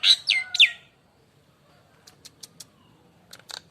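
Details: Nias hill myna lure song from a lively, loud-singing bird: two or three loud whistled notes sweeping down from high pitch, then a quiet gap and scattered sharp clicks.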